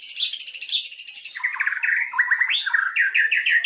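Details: White-rumped shama song used as a lure: a rapid high rattling trill slides lower into varied warbled phrases and fluty, swooping notes at mid pitch, delivered continuously without pause.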